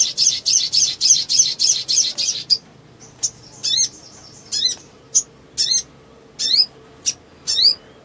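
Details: Excited black sunbird fluttering its wings, a lure for birds that have stopped singing: a rapid series of buzzy high chirps, then spaced, sharply descending thin whistles about every half second.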